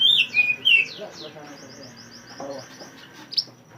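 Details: Mantenan bird chirping, recorded for training songbirds: loud warbled notes open, then a rapid trill of short repeated high notes, with faint lower murmuring in the background.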